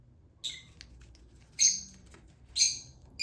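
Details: Hand-fed lutino Fischer's lovebird chick making three rough, hissing squawks about a second apart, with faint soft ticks in between.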